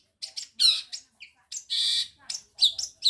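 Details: Madura long-tailed shrike singing in mimicry of ciblek kristal and canary: short harsh squawky bursts and high scratchy notes, with one sustained rasping phrase and thin whistles between them.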